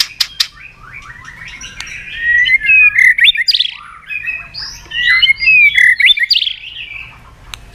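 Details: Murai batu, the white-rumped shama, sings a varied lure song to stir other birds: rich looping whistled phrases, rising and falling, come in two bursts separated by a brief pause, with scattered sharp clicks.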